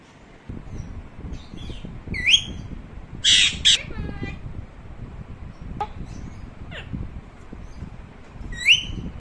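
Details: Scattered parrot vocalizations from a hand-tame pet parrot that talks Urdu and Arabic words: short upswept whistles and chirps, one loud grating burst near the middle, and a final rising whistle, over a low background murmur.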